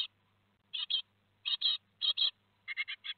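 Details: At Théding on 15 July 2020, great tit nestlings two days from fledging utter paired and quadruple high scratchy chirps, spaced irregularly over a faint low hum.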